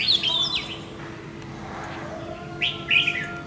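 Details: Red-whiskered bulbul back home after escaping, challenging a decoy bird: a quick whistled phrase at the start, a pause, then another bright warbling burst near the end, over a low steady hum.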